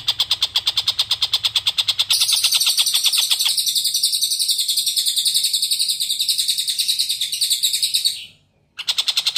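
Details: Long-tailed shrike in lively song, recorded as a tutor for white-rumped shamas: fast harsh rasping pulses, then a long buzzy, ringing high trill with layered tones that cuts off abruptly before the rapid rasps resume.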